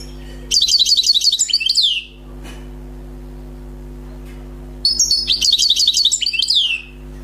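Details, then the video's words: Recently caught wild European goldfinch sings two lively phrases of rapid, repeated high twittering notes ending in a downward slur, several seconds apart, with a steady low hum. "غناء حسون بري صيد جديد"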